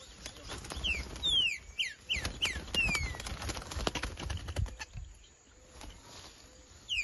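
Green-winged saltator giving a quick run of clear, down-slurred whistles, then one more after a pause, over rustling and tapping noises.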